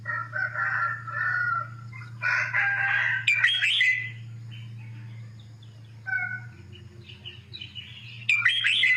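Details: A caged red-whiskered bulbul from southern Thailand, whose song type the owner searched for over eight years, gives bright warbling phrases of about a second, each ending in sharper, higher notes, with pauses, over a low electrical hum.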